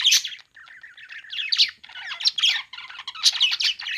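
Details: Playing budgies give a continuous warble of rapid scratchy chirps and harsh squawky notes, with one softer, lower chattering run in the first half.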